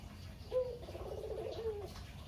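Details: A quieter single coo from a chatty caged local Barbary dove, the lone survivor of a pair: a short sharp start running into a rolling, slightly falling purr. The cooing is meant to lure other doves to call.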